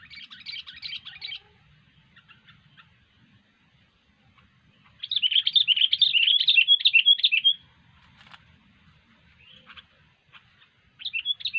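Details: Sooty-headed bulbul (kutilang) singing actively: dense bursts of rapid, chattering, high-pitched twittering notes, one about a second long, a longer one near the middle lasting over two seconds, and a short burst at the end, with quiet gaps between.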